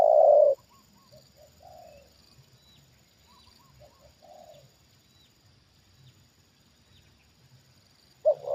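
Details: Trained spotted dove answering a wild bird lured down again: a loud coo ends at the start, then quiet soft coo pairs follow at intervals, and another loud phrase begins at the close.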